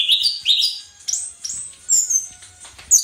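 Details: Caged-bird training recording of an Orange-headed thrush singing gacor teler: upward-sweeping whistles, then thin high notes and scattered chirps over soft low background rumble.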